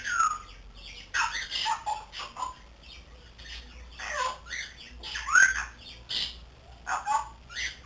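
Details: Three-month-old grey parrot at home, learning to talk, makes repeated rasping squawks mixed with short rising and falling whistled squeals, about one burst per second.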